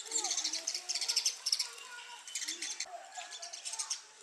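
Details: Sparrows striking at a mirror, mistaking the reflection for a territorial rival: loud, rapid run of pulsed high chirps, pausing briefly midway before resuming, with softer low curved notes beneath.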